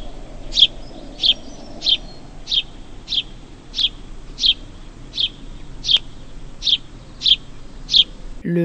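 A House Sparrow gives about thirteen bright, emphatic chirps, one every two-thirds of a second, steady and insistent. A brief voice starts at the very end.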